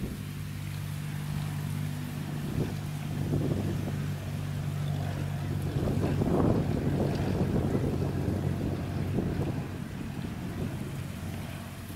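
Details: A steady low engine drone with wind buffeting and splashing water, and no animal calls to be heard.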